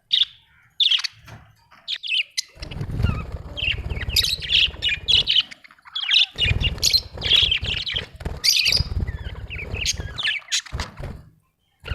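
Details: Budgerigar, described as Australian, chattering in a continuous string of squawky, buzzy chirps, with a steady low rumble behind much of it.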